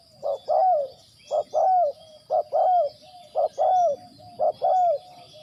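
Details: Spotted dove serving as a trapping decoy, repeating a two-part cooing phrase roughly every second: a brief low hoot, then a longer arched and falling coo. The rhythm is steady, with a thin high-pitched hum behind it.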